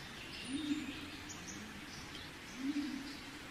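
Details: Soft low pigeon coos, two rolling phrases about two seconds apart, set against a constant outdoor hiss and faint distant bird chirping.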